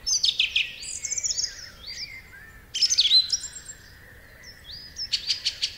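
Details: Song thrush singing in separate, strident, full-whistled phrases: a burst of repeated high chirping notes, a pause, another loud repeated burst near three seconds, then a further rapid repeated phrase at the end.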